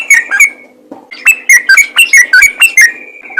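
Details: Yellow-vented bulbul in strong voice calling other bulbuls, a few whistled slurred notes, a brief pause, then a quick run of bright warbling phrases ending in a held whistle.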